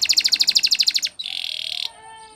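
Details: Spanish Timbrado canary training song: a fast series of bright ringing notes about ten per second, then a buzzing trill fading into a soft tail.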